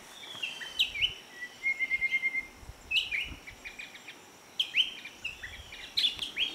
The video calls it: bulbul sound / striated bulbul call